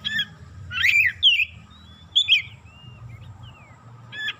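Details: Kacer, the Oriental magpie-robin, singing excitedly through its isian fill-in material: scratchy rising and falling whistled phrases with brief gaps, soft thin notes between them, and a steady low background rumble.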